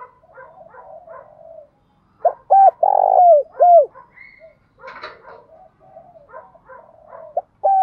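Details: Spotted dove decoy bird used to provoke wild doves into cooing, giving a loud burst of four arched, hollow coos mid-clip, with fainter overlapping coos from other doves throughout.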